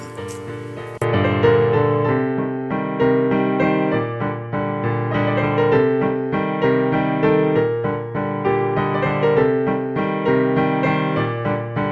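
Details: Piano music fills the whole passage with sustained chords and a steady melody, and no animal calls are heard.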